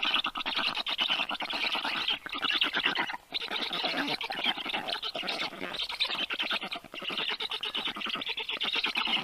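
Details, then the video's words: Rescued black stork chicks, 30 days old, being fed at a vet clinic of the University of Life Sciences in Tartu, Estonia, on 21 June 2022 afternoon; dense, rapid, raspy wheezing calls run almost continuously with brief pauses. "Must-toonekurg2~Great feeding by Toru! Little ones are stuffed~"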